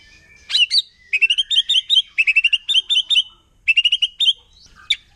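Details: Wild white-rumped shama in forest, singing a song said to provoke other shamas: bright repeated phrases of sharp chipping notes in quick bursts, with one high whistle near the end.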